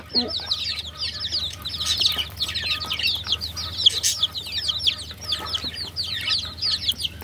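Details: Loud, dense peeping from many baby chicks: rapid high chirps, often falling in pitch, crowd together into a near-constant twittering wash.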